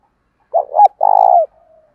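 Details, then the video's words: One cooing phrase from spotted doves, male and female, in a call recording meant to lure wild doves: a short wavering note, a brief rise, then a long rolling purred coo fading into a faint tail. Clean, quiet background. "tiếng chim cu gáy mồi thúc đấu và gáy gọi bổi rất nhanh về cội khi nghe giọng gáy này"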